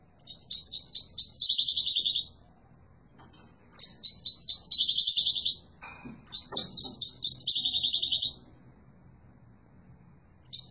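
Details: Yellow mutation European goldfinch singing strongly in high, bright bursts of fast twittering and tinkling notes, each about two seconds long and ending in a buzzy trill. Three bursts are separated by short pauses, with faint clicks between them.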